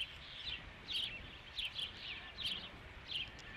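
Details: Osprey at the Dunrovin Ranch nest on 3 July 2016, calling around a fish delivery, the fifth fish. Sharp, high chirps come in short bursts roughly every half second to second, over a soft steady outdoor background hiss.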